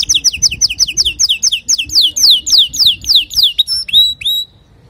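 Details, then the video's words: Male canary singing clearly for young canaries to learn: evenly repeated downslurred chirps, about three a second, followed by a couple of long rising whistles. "تغريد ذكر كناري صافي لتعليم صغار الكناري"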